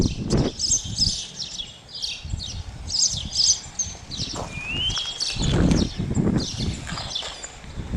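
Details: Spotless starling, Sturnus unicolor, heard outdoors: a busy mix of high chattering, clicking notes and one rising whistle, with rustling and low thumping noise throughout.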